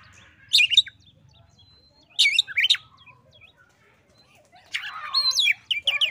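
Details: Oriental magpie-robin in a song duel with a rival: separated short bursts of rasping notes and quick upward whistles, then a longer, fuller phrase of slurred whistles toward the end, over faint low-pitched hum.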